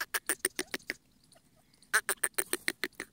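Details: Wild partridge in India giving harsh, clipped notes repeated about three times a second. A short silent gap splits the clip in two, and faint background noise sits underneath.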